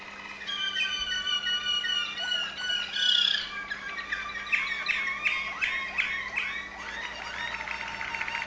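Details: Waterslager Malinois canary, Veliko Gradiste, Serbia: a flowing harmonic trill giving way to bubbling, water-like notes, some with upward-curving glides, repeated roughly twice a second.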